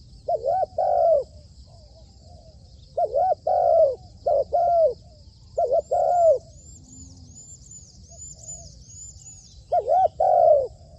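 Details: Decoy spotted dove being trained, repeating soft hollow coo phrases about every three seconds, each made of two or three wavering hoots and a longer falling note. There is a pause near the end and faint high chirps behind.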